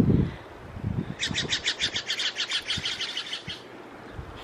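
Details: In Oregon, Steller's jays scream and fuss at each other, giving a harsh, rasping run of about fifteen rapid shack notes, roughly eight a second, over low thumps and rustling.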